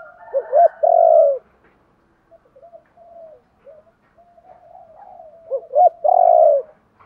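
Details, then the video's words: Spotted dove giving its call, played to stir wild-caught birds into calling: a loud phrase of two quick coos and a long falling coo, soft low murmured coos between, then the phrase repeated about five seconds later. "Tiếng chim cu gáy kich bổi mới[ tiếng thúc . gáy gọi ] chim cu gáy giọng hạp bổi, giúp bổi mau lên"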